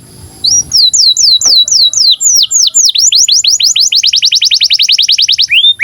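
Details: Canary singing in breeding condition, recorded for tutoring young canaries. A string of clear, down-slurred whistles speeds up into a fast, tight trill, ending on a single drawn-out falling note.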